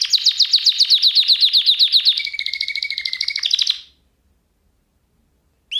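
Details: Training song for caged canaries to hear: a fast, even trill of sharp repeated notes for two seconds, then a buzzy roll over a held low whistle. Silence follows, and a short note returns at the end.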